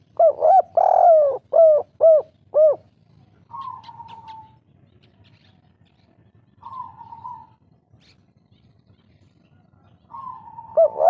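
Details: Spotted dove kuk 3 lure, an angry-sounding local wild call to set rivals calling back: a rapid series of arched coos, then three separate soft, slightly falling drawn tones spaced apart, ending with a coo.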